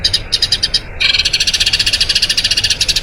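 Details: Eurasian tree sparrow, long rolling song for tutoring other birds: a few spaced chirps, then a quicker, steady rolling series of bright, high notes.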